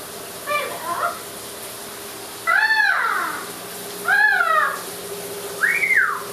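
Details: Pet Amazon parrot vocalizing in a shower: harsh, harmonic-rich arched calls, each rising then falling, given about every one and a half seconds over steady hissing running water.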